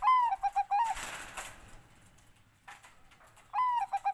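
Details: Bangkok-type zebra dove cooing: a drawn-out falling whistle, then a string of short bubbling notes, interrupted by a brief hiss of noise, then the phrase starts again.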